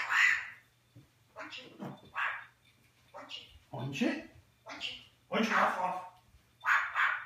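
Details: Eclectus parrot indoors on 21 January 2015, speaking English and Flemish: a run of short raspy syllables and word fragments, eight or so bursts spaced under a second apart, some louder and broader than others.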